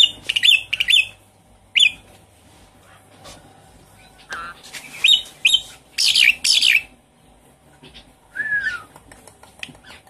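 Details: Javan pied starling song used as a lure for a silent caged bird: scattered harsh, scratchy chatter in short bursts, some loud rasping notes, and one descending whistled slur near the end.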